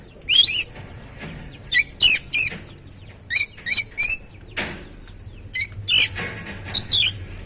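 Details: Kacer, or oriental magpie-robin, singing to stimulate another bird: scattered loud, sharp whistled bursts and upward sweeps at irregular intervals over a quiet background.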